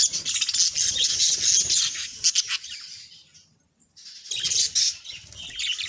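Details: Two pet budgerigars singing and talking, a dense high-pitched warbling chatter of chirps and squawks, pausing for about a second before resuming.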